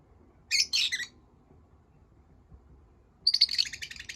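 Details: Caged pet lovebirds: two brief clusters of high chirps, a silent stretch, then a quick buzzy trill.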